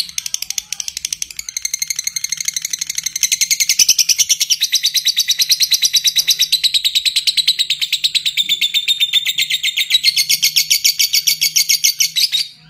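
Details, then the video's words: Lovebird giving a long chattering ngekek, used as a training recording: a rapid, harsh, buzzy stream of notes that starts loose and speeds into a dense, steady rattle lasting about twelve seconds, with a low hum underneath. "Masteran suara burung lovebird ngekek panjang"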